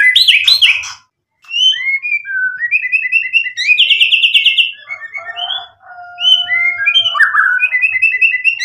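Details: Richly mixed white-rumped shama song for provoking answers: buzzy chips, paired rising whistles repeated in sequence, a fast pulsed burst, and a soft level whistle running underneath.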